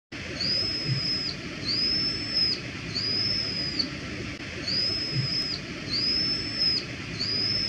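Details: A Brown-eared bulbul gives its ordinary shrill "hee-yo" call notes, high whistled calls each rising then held, repeated about once a second over a low background rumble.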